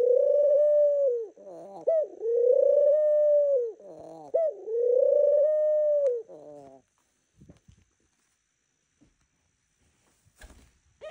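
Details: A pet dove gives a morning greeting coo, three long, level, hoarse coos separated by brief stuttering notes, then quiet with a few faint knocks and rustles near the end.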